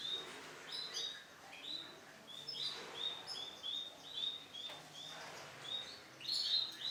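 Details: Lemon-bright male canary delivers a string of thin whistled notes, evenly spaced, ending in a louder sharper double note.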